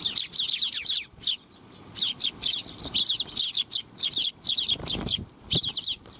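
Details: Flock of Eurasian tree sparrows arriving to be fed at a Tenmangu shrine on 12 July 2021, chirping almost nonstop: dense, sharp, high twittering notes in quick runs, broken by brief pauses roughly every second.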